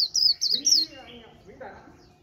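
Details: Caged white-eye singing líu while a phone is held close: three bright, very high slurred notes, followed by quieter, lower murmurs and faint chatter.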